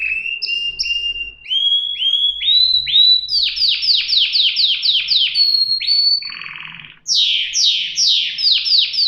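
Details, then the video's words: Canary singing steady repeated rising notes, a series of loud sweeping trills, a short buzzy rattle, then another burst of fast bright sweeping notes. "صدای قناری"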